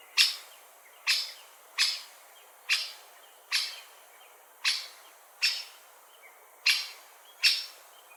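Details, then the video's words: Rapid series of ten abrupt, metallic 'kik' calls from a great spotted woodpecker, repeated roughly every 0.8 seconds, loud and clear over a quiet background. "Woodpecker Call"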